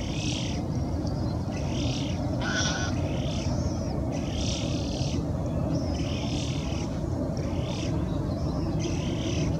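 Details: Eurasian spoonbill with a begging young bird behind the adult: harsh, nasal, buzzy calls in short bursts, about eight repeated at uneven intervals over a steady low rumble of wind or background noise.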